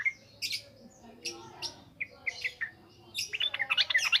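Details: Yellow-vented bulbul in wild-style ngropel ngalas song, played to lure and train raw birds. Scattered short chirps and whistled notes, then a fast, excited burst of high trilled notes in the final second.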